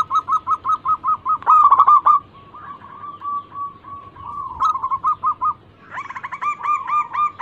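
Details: Local zebra dove, a lure recording of an eager singer: a quick run of evenly spaced coos, a rolling stuttered passage, then louder, ringing repeated notes.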